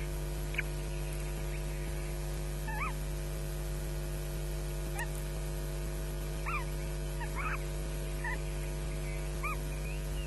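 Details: Osprey chicks on a nest at Loch Garten, 22 May 2012, just before 10 am, scrapping and shrieking for food as an adult watches; short, sharp, rising-falling squeals come in scattered bursts over a steady electrical hum from a live nest camera.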